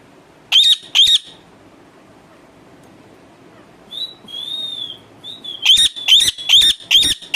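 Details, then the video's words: Two harsh squawks from a pet parrot, a quiet gap, then a drawn-out wavering high whistle, followed by a fast series of rasping squawks. "bolane wala tota"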